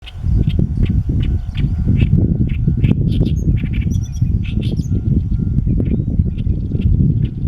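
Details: Great reed warbler (Acrocephalus arundinaceus) male singing at his favourite song-post to claim territory, Heijō Palace site, Nara City, Japan, 14 May 2013; harsh, chattering syllables repeated in quick succession, partly buried under loud wind rumble on the microphone.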